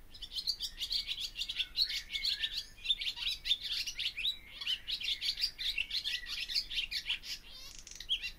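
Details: Continuous twittering song of a barn swallow: a fast, unbroken stream of chirps, warbles and squeaky notes running for the whole stretch without a pause.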